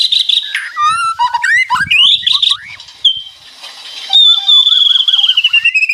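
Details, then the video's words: White-rumped shama rattling song, birds answering each other: rich varied whistles and swoops, a brief pause, then a long slowly falling whistle over a rapid series of looping notes. "Suara Murai Batu Ngeretek"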